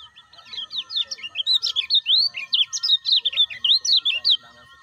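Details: A lemon-bellied white-eye sings as a tutor recording for other captive birds: a rapid, continuous run of high, bright chirps and twittering notes for about four seconds over a faint steady hum.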